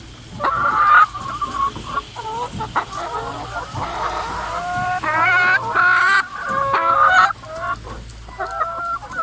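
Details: Noisy chickens, a lot of hens together in a coop: a busy chorus of short clucks and longer wavering, stepped calls overlapping throughout, louder bursts around the middle, with a low steady hum and a faint high whine underneath.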